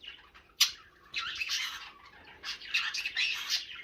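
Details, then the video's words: Pet green-cheeked conure indoors, a baby parrot known for talking, producing a sharp click, then harsh, raspy squawking phrases in two long bursts, rising and falling in loudness. "How Many Words Can This Parrot Say In Under A Minute? I Counted 67"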